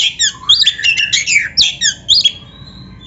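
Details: Oriental magpie-robin, used as a training song for captive birds, delivering quick chattering and whistled phrases for about two and a half seconds before fading into quiet.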